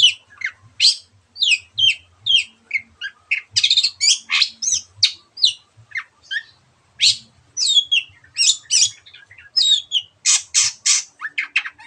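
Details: Long-tailed shrike singing vigorously: a dense, varied stream of high chips, slurred whistles and scratchy bursts, switching note types rapidly with few pauses, ending in loud harsh bursts; faint low knocking in background.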